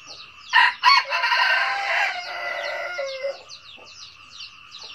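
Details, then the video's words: Red junglefowl crow: a loud, harsh, rasping crow in several broken parts over about three seconds, fading into a rapid, high, repeated chirping chorus that carries on behind it. "tiếng gà rừng gáy cà lắm"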